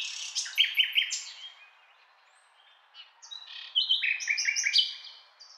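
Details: Common nightingale singing: a bright phrase of rapid repeated notes around the middle of its range, a near-silent pause of about two seconds, then a second burst of clipped repeated notes with high sharp accents.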